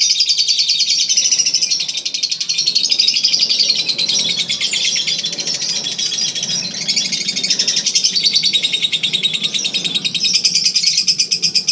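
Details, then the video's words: Contest-champion lovebird, Eagle Head, delivering sustained ngekek chatter: unbroken high shrill rattling trill across the whole stretch, slightly wavering in loudness, over a murmur of low background noise. "Ngekek 1 menit up"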